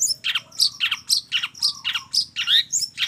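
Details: Long-tailed shrike singing a mixed song: quick series of rasping, squawky notes at a brisk uneven pace, some with a bright high edge. A quiet level whistle and a low background hum are also present.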